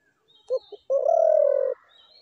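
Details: Single spotted dove phrase: two short notes followed by a long, steady, low coo, with faint thin chirps from other birds.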